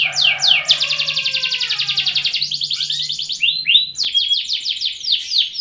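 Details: Mating lure song of a canary, meant to raise breeding desire and hasten pairing: a long buzzy rolling trill opening with quick sweeps, followed by a run of rapid repeated high swept notes, with a steady faint low hum beneath.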